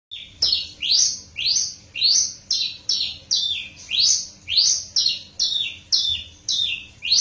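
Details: Hybrid bush lark from a cross of a Java female and a parfa male, singing a fast series of high rising slurred whistles, about a dozen notes evenly repeated, with a faint low hum behind.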